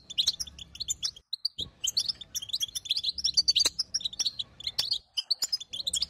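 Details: Bitbita calling from a female European goldfinch, used to stir a quiet male to sing. Dense high chirps and short buzzy notes tumble in quick runs, broken by brief pauses, with a soft low background hum.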